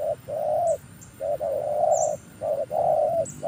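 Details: Spotted dove kept as a luring decoy, newly trained: a run of low mellow coos, short notes leading into long drawn ones, almost continuous, with small high chirps from other birds in the background.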